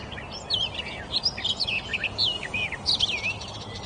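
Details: Birds chirp busily in quick, squiggly high whistles and twitters, phrases tumbling one after another with brief pauses, over soft background hiss.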